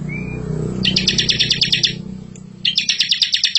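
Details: Master song of a bar-winged prinia for training young birds: a brief whistle followed by two long bursts of rapid buzzy pulsed notes, with a steady low mechanical hum throughout.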